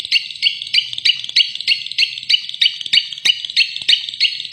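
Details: Caged long-tailed shrike (cendet) kept for sale; a fast, very regular series of harsh high notes repeated about three times a second without pause.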